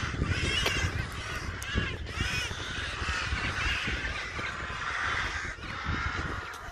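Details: A crowd of crows shouts at a sparrowhawk holding a captured crow near a house; dense, raucous cawing from several birds overlaps without pause, with rumbling low background noise.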